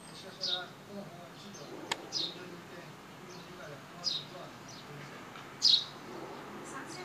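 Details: Several sparrows, filmed on a compact camera, giving short high downward-slurred chirps at irregular intervals of one to two seconds, over a quiet outdoor background with one brief click.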